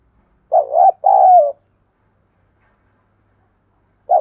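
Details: Spotted dove coo played to stimulate wild doves and decoys into calling and fighting: one low two-part phrase, a quick double coo then a longer falling one, with the next phrase starting at the end.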